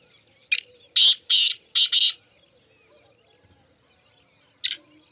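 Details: Black francolin (mushki teetar) calling: a short harsh note, then two long grating bursts and two more in quick succession, followed after a pause by one more rasping note; quiet background.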